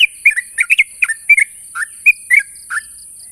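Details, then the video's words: A sooty-headed bulbul calling out a rival: a short string of mellow, slurred notes, several falling in pitch, loosely spaced, with a constant faint high-pitched hiss. "suara burung trucuk memanggil lawan"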